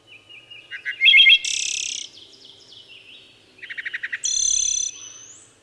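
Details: Two song phrases from a wood thrush: clear fluted notes ending in a loud high buzzy trill, then a series of soft rapid introductory notes leading into a high shimmering trill that fades.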